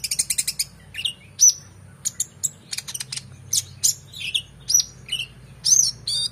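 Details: Excited oriental magpie-robin song with rich filler phrases, used to tutor competition songbirds: it opens with a fast rattling series of clicks, then continues with bright piercing whistles, slurred notes and buzzy chirps, with a faint low hum beneath.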